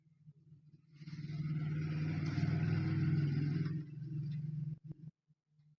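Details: A deep, steady engine hum swells after a second, holds for about three seconds, then fades and cuts out, with no animal voice present.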